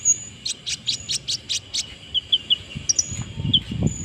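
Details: Brown-throated sunbird singing after moulting: a rapid run of about seven short, bright, high chips at an even pace, then a few thin whistled notes and sharp high squeaks, with low rumbling background noise.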